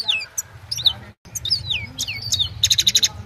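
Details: Goldfinch from the Himalaya singing at evening, phone-recorded: a few sweet downslurred whistles and chirps, then a quick buzzy trill at the end, over faint low hum.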